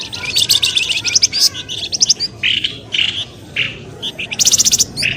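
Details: Lure sound for drawing birds out of bushes, pelamboyan ribut: rapid strings of high chirps, then softer downslurred notes and a final quick chattering burst.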